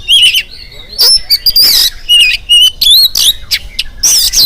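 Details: Energetic morning song of an oriental magpie-robin, meant to stir other birds to sing: dense, loud runs of looping whistles, scratchy rasps and buzzy notes with almost no pauses.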